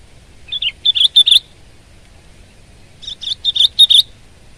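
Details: Sooty-headed bulbul giving two bursts of rapid, liquid chirping notes, each burst about a second long with four or five clipped whistles, separated by a short silence.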